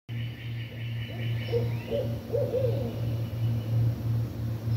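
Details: Barred owls at Long Lake Resort, Poteau, Oklahoma, on 23 May 2023, persistently calling near people. One gives a short run of wavering, mid-pitched hoots and cackles over a steady low mechanical hum.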